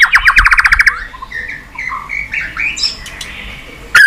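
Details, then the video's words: A pet-stimulating White-rumped shama recording opens with a rapid rattling trill of about a dozen clipped notes. Soft, scattered warbling follows, then a sudden loud whistle at the end. "Chòe lửa tạch liên tục"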